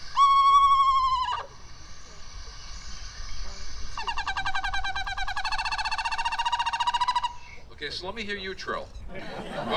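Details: A Cornell library recording of an Eastern Screech-Owl is played through speakers at a live owl education program: a brief wavering whinny, then a steady one-pitch trill of about three seconds, followed by voices.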